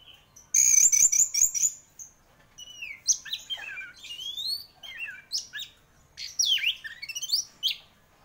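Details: Prolific orange-headed thrush song, opening with a loud fast trilled run, then a long sequence of varied whistled sweeps, slurred upward and downward notes and scratchy twitters separated by brief gaps.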